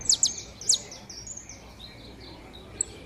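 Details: Warming-up saffron finch pair, known locally as canário da terra: three bright, steeply falling high chips at the start, then thin faint twittering and one last isolated high note.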